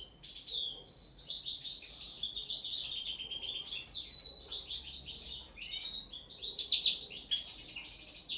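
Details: Trained linnet singing on the table in an early session: a long, fast-flowing twitter of rattled trills and chirps, broken by short pauses and ending with sharper metallic notes.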